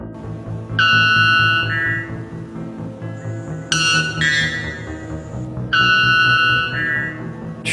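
White bellbird giving loud, ringing metallic notes, each about a second long and repeated every couple of seconds, over steady background music.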